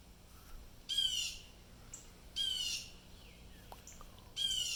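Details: Alarmed wild blue jays, disturbed by something nearby, give three raspy, buzzy screeches at irregular intervals, with faint scattered clicks and soft outdoor noise.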